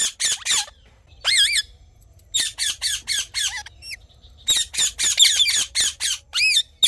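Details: Morning calls of a ringneck parrot, rapid series of sharp, high screeching notes mixed with a few longer warbling squawks, fast and uneven in rhythm, with a quiet low background rumble.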